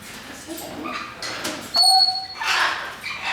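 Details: An umbrella cockatoo at a parrot sanctuary in Arizona gives a sharp, steady whistled note, then a harsh, raspy screech, with people talking quietly nearby.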